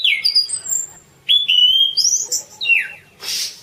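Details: Orange-banded thrush singing for masteran: short whistled phrases, some descending and some held steady, broken by brief pauses, ending with a hissing buzzy note.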